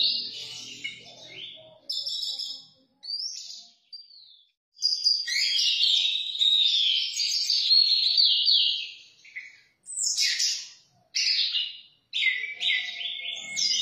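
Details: 'Teler' singing from an orange-headed thrush: rich, fast phrases of whistles, trills and scratchy notes, including a long unbroken stretch mid-way, separated by brief silences.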